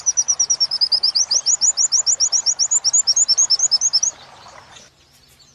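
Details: Captive-bird training material of an Oriental white-eye in wit-wit style: a steady run of very high, clipped chirps repeated rapidly for four seconds, some notes rising slightly, then fading to quiet background hiss.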